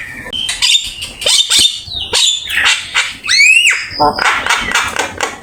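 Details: Javan myna in full fill-in song, recorded as a training master: scattered harsh chips, a strong rising then falling whistle and a sustained high whistle among buzzy squawks.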